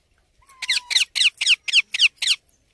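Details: Baby Indian ringneck parakeet uttering seven harsh, buzzy squawks in just under two seconds, preceded by a brief thin whistle.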